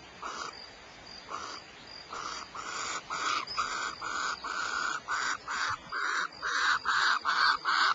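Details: Barn owls at Starr Ranch, California: a series of harsh, breathy bursts, close together and growing louder and longer toward the end, about two or three each second, over a faint insect-like background hiss.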